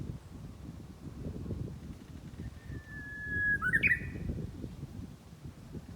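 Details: Japanese bush warbler calling close by on a rural mountain path in spring, one clear phrase: a sustained whistle sliding into a bright, tumbling higher flourish, over steady footsteps on the trail.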